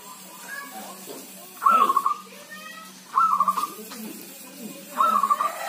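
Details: Healthy kept zebra dove singing in rain or drizzle; three clear, stuttering coo phrases roughly every one and a half seconds, each a quick string of beaded notes, with a soft steady background hiss.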